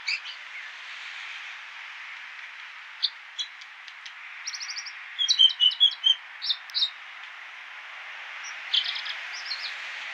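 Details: American dipper (water ouzel) song: sparse sharp notes build into a rapid run of clicking, buzzy chips near the middle, then fall off to scattered high notes, over a constant rushing background noise; road noise reduced.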